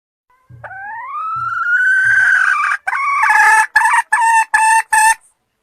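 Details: Red junglefowl hen cackling: one long, loud, slightly rising drawn-out note, then a quick series of five sharp, clipped, repeated notes. A few low soft thumps sound beneath the opening.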